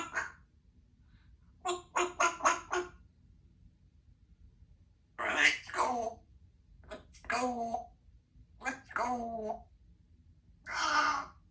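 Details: Female Congo African grey parrot kept as a pet in a country home, chatting away: short speech-like syllables in quick bursts, a rapid run of four clipped notes, then scattered phrases separated by brief pauses.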